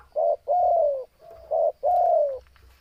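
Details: Spotted dove in breeding condition, calling persistently: two phrases, each a short soft coo followed by a drawn-out, gently falling cooing note, with a quiet background.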